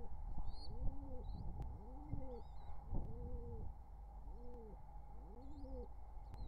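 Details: Wild pigeons courting near nestlings in summer 2023 give a string of deep, bowed coos about once a second, with thin high chirps of another bird scattered above and a steady hum behind.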